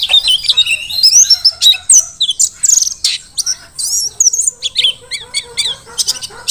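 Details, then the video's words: Mountain white-eye, Dakun variety from Merapi, in full vigorous song: quick high sweeping whistles and chattering chirps packed tightly, with a few lower buzzy notes mixed in. "Pleci Dakun Merapi Ngalas super gacor"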